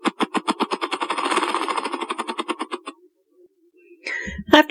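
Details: Male Ruffed Grouse drumming on a hollow tree, a wing-beating display that attracts hens and advertises territory: hollow thumps that start slow and quicken into a blurred roll over about three seconds, followed by a brief bit of a man's voice.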